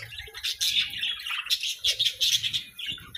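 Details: Pet parakeets in a flock chattering with dense, rapid high chirps and warbles, overlapping bursts of twittering with faint low thumps beneath.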